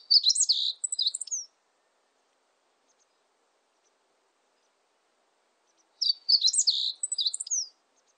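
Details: Two short song phrases from a meadow bunting, each a rapid tumble of high chirps and thin slurred whistles about one and a half seconds long. The phrases are separated by roughly four seconds of silence, with no other sounds.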